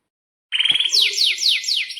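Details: Canary singing an energetic rolling song used to prompt silent or young canaries: after half a second of silence, a buzzy trill gives way to a steady run of high sweeping downslurs, about four per second.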